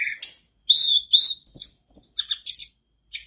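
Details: Mangrove blue flycatcher singing, a lively recording meant to make other kept flycatchers join in; loud clear whistles and sharp trilled chirps, high and varied, in quick bursts separated by brief pauses.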